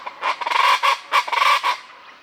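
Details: Loud, social Common chachalacas moving through trees above a palapa at dawn in Sierra Madre jungle by Banderas Bay, Mexico: two bursts of harsh, ratcheting, rhythmic cackles, each a tight run of grating notes, with a brief pause between.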